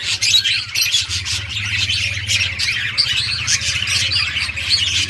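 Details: Several budgies at play keep up rapid, overlapping chirps and twitters, backed by a steady low droning hum.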